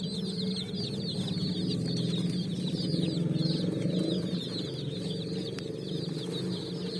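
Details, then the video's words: Brightly coloured chicks on sand looking for food in the evening; a busy chorus of thin, rapid high peeps over a strong low rumbling hum that swells midway. "Chicks Chirping"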